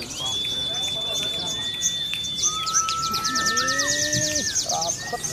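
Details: A Sunda leafbird sings mimicked bar-winged prinia material at a competition venue. A long high whistle runs into a fast repeated ticking series, with lower held whistles and rising slurred notes beneath. Voices and other birds sound faintly.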